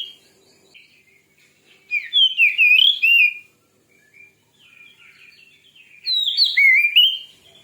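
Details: Oriental magpie-robin, called a fierce singer, pouring out two loud bursts of rich, sliding whistles and warbles. Quieter twittering fills the gap between them.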